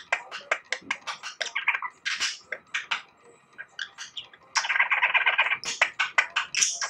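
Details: Six-year-old pet budgerigar, which learns to imitate Light-vented bulbul calls, chatters in fast bursts of clicks, squeaks and scratchy chirps, with a louder, denser run of warbling near the end.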